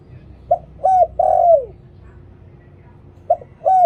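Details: Luring call of a spotted dove, 'liw tan' song type: short hoot, clipped coo and long falling coo, then after a two-second gap the next phrase starts with hoot and coo.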